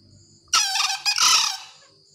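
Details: Green junglefowl giving a loud crow, two hoarse, rich-toned bursts split by a brief gap, the second slightly longer, over a thin background of constant high-pitched insect buzzing.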